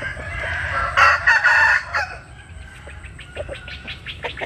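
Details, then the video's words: Rooster crowing in the early morning as chickens bask in the sun: a loud, harsh, rasping crow lasting about a second, followed by softer scattered clucks and short chirping notes. "Tiếng Gáy Lúc Tinh Sương. Gà Phơi Nắng Sáng"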